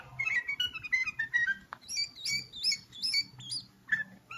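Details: Bulbul singing: varied whistled and slurred notes, lower mellow phrases followed by higher rising and falling whistles, with a faint low hum beneath.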